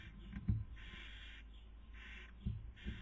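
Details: Webcam barn owls, Cabañeros National Park, Spain, breeding season 2020, female feeding while male tries sleeping; rasping hisses recur roughly every second, with dull taps and scraping from the nest.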